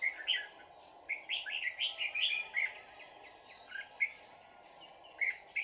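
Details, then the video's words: Red-whiskered bulbul singing as a lure for trapping wild birds, 22 December 2018. A quick run of bouncy, slurred whistled notes is followed by scattered single chirps, with a steady high whine behind. "Bẫy chào mào Hàng chơi lăng xăng"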